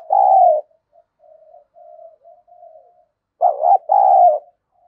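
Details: Spotted dove serving as a decoy to provoke rivals: one loud held coo, a run of soft broken murmurs, then a strong double coo with a dipping first note and a longer second note.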